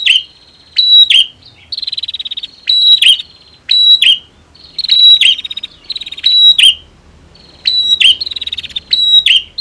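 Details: Female versus male prinias: a rapid series of harsh, buzzy bursts mixed with dry ticking clicks, sounding in clusters about once per second with short silent gaps and a faint thin tone between phrases.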